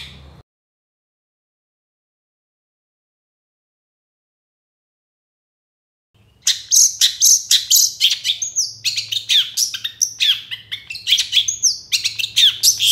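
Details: Long-tailed shrike singing vigorously as a lure for reluctant shrikes. Several seconds of silence, then a sudden rapid stream of high sharp whistles, chirps and scratchy notes, several per second, over a faint low hum.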